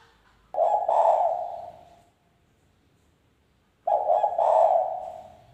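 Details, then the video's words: Spotted dove giving a wild-style (ngalas) call used as a lure for wild doves: two low, husky cooing phrases about 1.5 seconds long, each rising then fading, separated by nearly two seconds of quiet. "panggilan derkuku super gacor suara NGALAS,cocok buat pancingan derkuku bahan bakalan"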